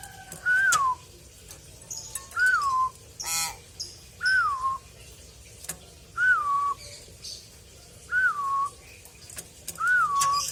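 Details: Pet common hill myna giving loud whistled notes that rise briefly then slide down, repeated six times about every two seconds, with faint clicks and knocks between them.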